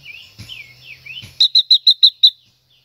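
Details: Singing female silver-eared mesia, stimulating a male: gentle downslurred warbles, then a clear run of six bright repeated notes at a steady quick pace.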